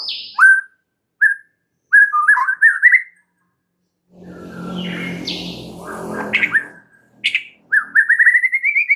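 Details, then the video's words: White-rumped shama singing, played as a provoking lure: short whistled notes and twittering phrases, a burst of broad noisy sound in the middle, then a rising warbled run of quick notes. "SEKALI PANCINGAN Murai Batu anda langsung NAIK EMOSI mendengarnya"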